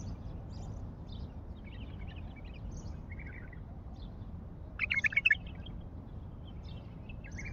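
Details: Singing wild bulbul, Baghdad, delivering one short, rich, gurgling phrase midway, surrounded by thin high chirps from other birds and a constant low rumble.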